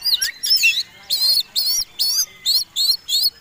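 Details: Oriental magpie-robin in fighting song, a lure to draw other birds into singing: harsh, buzzy notes repeated about every half second, each a rough chattering burst after a few opening whistles.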